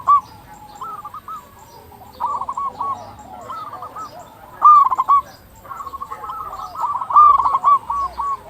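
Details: Lure song of local zebra doves for prompting other doves to sing: chains of soft, bubbling coos with louder staccato bursts around the middle and end, several birds overlapping.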